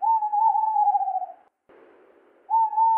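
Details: Tawny owl (Strix aluco), hoot.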